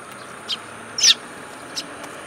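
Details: Sparrows visiting a plum-tree feeding place at a Tenmangu shrine in Japan, recorded 8 July 2022. A faint chirp, then one sharp high descending chirp, then another soft note, over low hiss.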